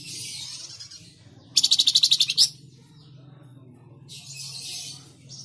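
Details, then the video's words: Flamboyan, a master recording for training cage birds: a loud, fast, high trill of about a dozen notes lasting under a second, set against soft hissing noise. "Burung flamboyan Burung Masteran Asli Rapat...."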